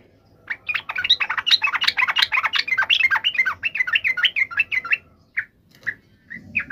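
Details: Excited fighting call of a yellow-vented bulbul, used to provoke a quick reply; dense bubbly chatter of quick rising and falling notes for about four seconds, then scattered single notes over a faint low hum.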